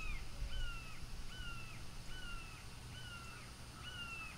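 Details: Bald eagle offspring back at its parents' nest in Florida: a series of high, thin whistled notes, each sliding slightly downward, repeated roughly every three-quarters of a second over steady low wind-like rumble.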